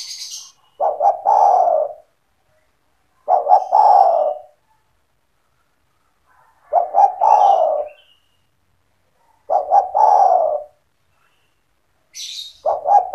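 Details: Spotted dove owned and kept as a lively caller, whose cooing is meant to attract other doves: five phrases roughly every 2.5 to 3 seconds, each a quick double note followed by a drawn-out mellow coo, faint high chirps at the edges.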